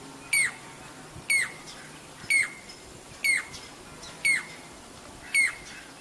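A Jacobin cuckoo gives six loud, ringing metallic notes, each sharply slurred, about one per second over a faint background hiss.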